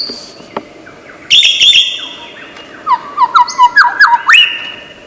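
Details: Lyrebird, a famously imitative bird of Australian forest, giving varied mimicked notes: a steady whistled tone, then clear sliding whistles, short upward and downward sweeps in a quick irregular series, over a background hum.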